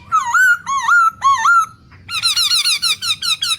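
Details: A red-headed lovebird in forest gives three shrill, wavering squeaks, then a fast burst of about eight sharp chattering notes.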